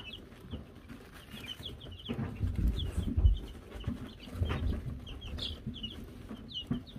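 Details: Young Wyandotte chickens of Silver Laced, Gold Laced and Gold Laced Blue varieties, given a bell, give frequent brief high peeps, some clustered, above louder low thumps and rumbling from movement.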